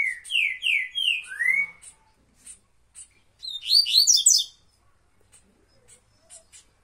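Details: A Bahia-type double-collared seedeater sings the "tuituí" song style at length: a quick run of slurred, descending whistles, then a burst of high, buzzy twitters, with sharp chips between phrases.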